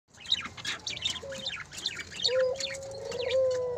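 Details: Two pairs of captive breeding parakeets at a bird farm; dense chirping and twittering chatter with short squeaky notes throughout, and a steady whistled tone running under the second half.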